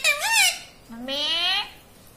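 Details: Pet talking parrot, which the owners say repeats words such as "mummy" and "papa", indoors. Two squeaky, speech-like syllables: a short wavering one, a pause, then a longer, steadier nasal tone.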